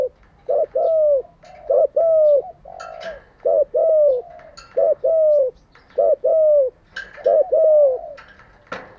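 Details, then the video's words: Spotted dove decoy cooing, recorded for training newly caught doves daily; about seven steady phrases, each a brief note then a longer gently dropping coo, spaced around a second apart. "Tiếng chim cu gáy mới nhất, dùng luyện chim gáy bổi và mồi hàng ngày"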